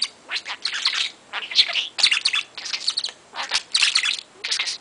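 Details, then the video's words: Young pet parrot, 22 months old with a large spoken vocabulary, doing its daily play chatter: quick runs of high, chirpy, talk-like syllables in groups of about half a second, with small tapping knocks in between. "Talking a mile a minute and playing"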